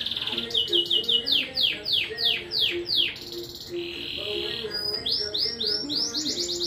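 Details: Competition song of a domestic Rompe Nuvem canary at Juiz de Fora, Brazil: a run of repeated descending whistled sweeps, then a steady sustained roll, followed by a quick series of rising chirps.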